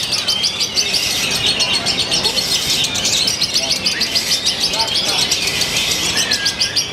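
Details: Competition lovebird from Purwakarta, Indonesia, with a new singing style and shortened pauses. It pours out a steady, rapid stream of shrill, scratchy chirps and trills with no break, and faint lower whistles underneath.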